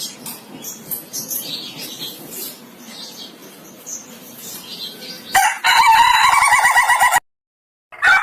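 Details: Ayam Ketawa chicken, with faint scattered background sounds before it suddenly crows in a burst of rapid, regular laughing pulses for nearly two seconds, then a sharp cut.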